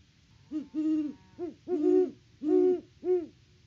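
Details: Great horned owl hootfest at the nest tree on a Kansas farm, October 2023, live cam: six low, booming hoots in quick groups, some notes overlapping as the birds call together.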